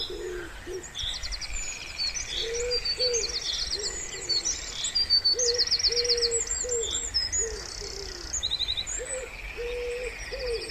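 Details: Wood pigeon calling beside a pond in spring: low hollow coos spaced in short groups, some paired, beneath busy high-pitched birdsong with buzzy trills.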